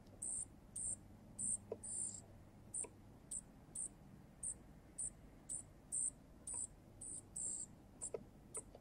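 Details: A baby junco at a balcony bird feeder, being fed by a male, gives thin, very high chipping notes, about a dozen in nine seconds at an uneven pace, over a low steady hum.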